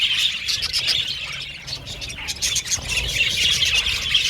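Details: Budgerigars in a colony aviary, lively chirping and warbling from many birds at once, a high chatter that eases briefly near the middle then picks up again.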